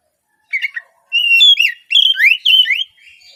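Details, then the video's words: Short burst of Oriental magpie-robin song meant to lure untrained speckled young birds into singing in the morning. After a brief chirp come sweet, rising and falling whistles, closely linked and fluty. "Cocok untuk pancingan Kacer trotol bahan agar lekas bunyi di pagi hari!"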